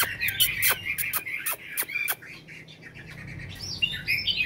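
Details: A caged Chinese hwamei, kept over five years and fairly tame, sings better after eating its fill: loud, varied whistled phrases with sharp clicking notes at a quick pace, the last part rising into richer warbles.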